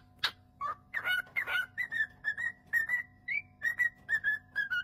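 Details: A cockatiel kept as a pet whistles: after a sharp squeak and a few rough notes comes a steady series of clear, slightly rising whistles, roughly two each second, over a constant low hum.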